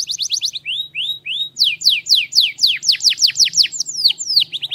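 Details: Strong canary song opening with quick repeated chips, then short rising whistles and a run of loud downward-sweeping notes about four per second, with a faint low hum beneath.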